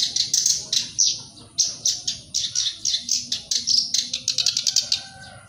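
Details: Black-browed reed warbler in continuous song, meant to prompt other birds to sing. It gives a rapid stream of grating, chattering high notes in clustered phrases, with brief gaps and a quickened trill near the end.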